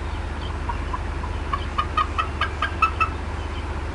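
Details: Female bald eagle upset at the Decorah North nest, afternoon of 18 April 2016: a run of sharp, chattering clucks that grows louder and quicker through the middle, over a steady low hum.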